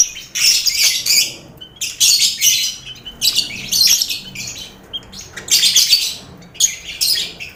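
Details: Lovebird colony in a communal cage alongside finches and quail, used to train contest lovebirds: loud shrill squawking bursts roughly every second, overlapping high chirps, a lively crowded din.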